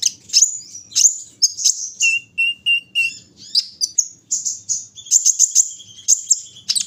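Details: Kolibri ninja at morning dew-taking: bright high chirps mixed with a short series of lower, even whistled notes, then a rapid chattering burst of sharp tweets.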